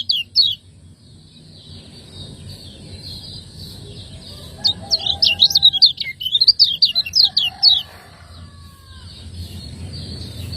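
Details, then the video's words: Master song of a lemon-bellied white-eye, Lombok, ciak ciak style for training cage birds: a brief chirp early, then a fast three-second string of high, sharp, slurred notes amid low background rumble. "Masteran burung kecial kuning"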